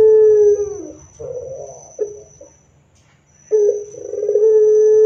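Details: Barbary dove (puter) in loud, vigorous song, played as a lure to get other doves to answer. Low hollow coos: a long steady coo, a rolling rough middle phrase, a pause, then another drawn-out coo. A faint constant high whine runs throughout.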